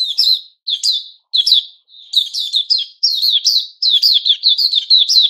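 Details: Kept white-crowned shama in new-feather season, dated 06-09-2021, sings separated whistled notes that quicken into a dense chattering string of slurred, sharply inflected phrases.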